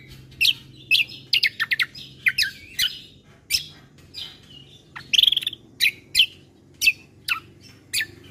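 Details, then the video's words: Combo recording of bulbul song with rich fill-ins, meant to provoke listening birds into calling: sharp high chirps and short whistled notes in quick irregular bursts, some trilled phrases, quiet steady background hum. "Suara Keciasl Kombo Isian Mewah Sekali Putar Bikin Emosi Burung Yang Dengar Auto Ribut"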